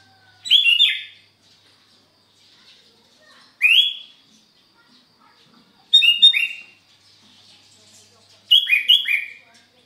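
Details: Sooty-headed bulbul singing gacor on a Sunday morning at Sukanegeri, OKU Timur: four lively phrases about every two and a half seconds, some doubled into quick stepped, bubbling notes, over quiet background chirps.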